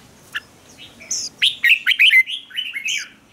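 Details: Fighting song of a red-whiskered bulbul, played to rouse birds into combative singing: an isolated chirp, then a loud tumbling burst of quick warbled notes ending in a bright, high whistle.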